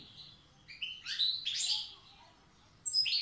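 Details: Brief fragment from a wild Tiaret goldfinch singing the old style: a few sharp chirps and slurred twitters, then a short high jingle.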